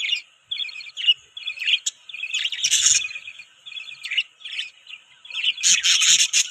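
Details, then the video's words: Budgerigars warble and chirp loudly, stringing thin twittering notes into chattering runs that end in a harsh burst of overlapping squawky chirps. "Beautiful Budgies Chirping Sound"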